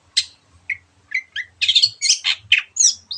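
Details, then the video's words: A long-tailed shrike sings energetically, a fast jumble of harsh, scratchy high notes and sharp chirps in quick bursts, with faint low knocking beneath. "Cendet Gacorrrr"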